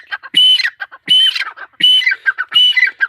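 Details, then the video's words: Four loud, harsh squawking phrases, each with a thin whistled tone, spaced under a second apart: the excited call of a female teetar, or partridge. "mdi ke Awaz # tetar sound # Teetar Voice # Atif Bhkar Bird # Tetar ke masti wali korak"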